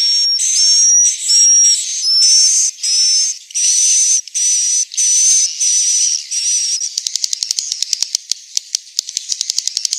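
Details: Swiftlet roosting sound, Central Sulawesi: a series of high hissing buzzes, about one a second, some with short rising whistled slurs, gives way after seven seconds to fast, dense rattling clicks.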